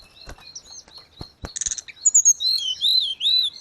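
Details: Grey-cheeked bulbul in 'gacor' form, meant as master audio for cage birds: soft scattered notes and clicks, then a buzzy burst, followed by loud sweeping whistles that arch and fall several times.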